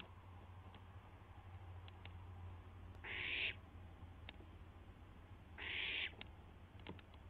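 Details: Barn owl recorded at 12:06 AM on April 12, 2016, around an owlet testing its wings. Two harsh, hissing screeches about half a second long, roughly two and a half seconds apart, over a low steady hum, with faint clicks.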